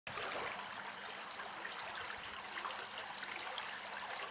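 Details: A female common kingfisher at Axios Delta National Park, Thessaloniki, Greece, watching the water for fish, gives shrill, thin, very high whistled notes, often doubled, several each second, over the trickle of running water.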